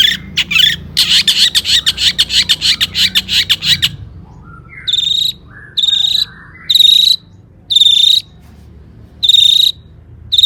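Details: Long-tailed shrike singing energetically, a recording meant to provoke other shrikes into song; fast rattling trill of dense notes, then spaced thin whistled buzzes repeated about once a second, insect-like in tone.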